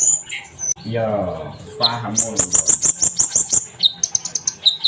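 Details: Sunbird giving a fast series of piercing high chirps, about a dozen evenly spaced notes, then a few lower twitters, after a stretch of a man's voice.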